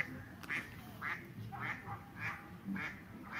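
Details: A mallard on the Vistula River in Poland, in winter with snow, gives a run of about six harsh, nasal quacks, one roughly every half second, over a low murmur of background noise.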